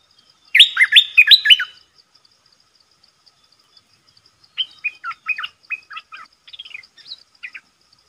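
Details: Decoy red-whiskered bulbul luring a territorial wild bird, opening with a loud, bubbly run of chirped notes, then a silence, then a string of softer, rapid chirps. Faint ticking continues throughout.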